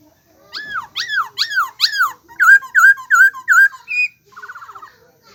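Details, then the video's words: Bird giving a run of four loud arched whistled notes, then four shorter slurred whistles, a single higher note, and finally a brief fast buzzy trill; the background is otherwise quiet. "Suab noog lom sab/sound of bird"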